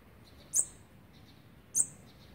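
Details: Olive-backed sunbird chicks being fed on the twelfth day of feeding, 29 September 2019: two sharp, very high, piercing chip notes about a second apart against a quiet background.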